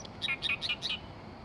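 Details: Oriental reed warbler recorded in Oyama, Tochigi, Japan: a short, brisk sequence of four harsh, squeaky chirped notes in quick succession, each with a rasping quality, against faint background noise.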